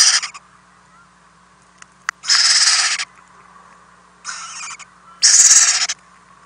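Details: Nest-box owlets being fed overnight, 4-10-2018, the adults bringing many prey deliveries, caught on a nest camera: rasping, breathy hisses of under a second each, three in a row at uneven gaps, a faint tap between.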